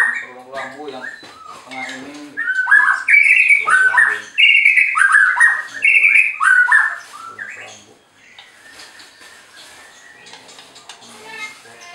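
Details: White-rumped shama from an Anyer, Banten bird farm, singing to provoke rival birds: rich run of loud looping whistles in the middle, softer chattering notes before and after.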